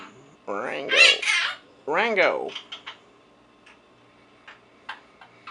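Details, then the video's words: Four-month-old pet Quaker parrot indoors producing two drawn-out, speech-like harmonic phrases with rising and falling tone, followed by soft clicks and faint chirps while a person coaxes it to talk. "Quaker Parrot RANGO Saying His Name And Talking"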